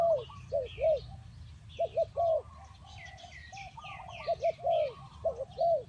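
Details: Spotted dove (tekukur) calling as a lure for trapping: deep, arched cooing notes in short two- and three-note phrases, answered by fainter distant doves, with high chirping songbirds behind.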